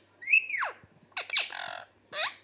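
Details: Pet talking parrot kept indoors, giving a rising-then-falling screechy whistle, then a burst of harsh, raspy squawks and a shorter squeal, with brief pauses between.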